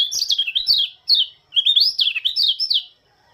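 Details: Oriental white-eye from Lombok giving its morning song: short, rapid bursts of high, warbling twitters with quick up-and-down slides, separated by brief pauses of under half a second.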